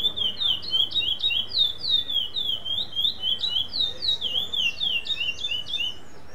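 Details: Competition singing from a black chestnut-bellied seed finch, second-place bird at Limeira, Brazil, non-repeating style: fast, continuous sweet whistles rising and falling in quick succession, roughly three per second, over a faint low background hum.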